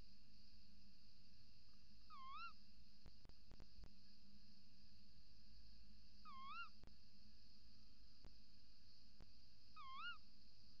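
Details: Little owl female calling at the nest-box entrance hole on camera before dawn, 28 December 2018, male calling outside: three rising-then-falling wavy mewing calls, about four seconds apart, over a steady high electronic whine and faint clicks.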